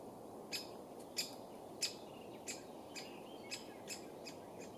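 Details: Young woodpeckers giving faint, thin high chirps, repeated roughly every half second to second, over constant low rushing background noise.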